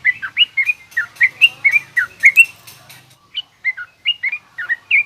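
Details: Yellow-vented bulbul song, garuda and rough ngriwik styles, used for teaching young birds: loud bubbly phrases of rising and falling chirps, rapid at first, then spaced out after a short break.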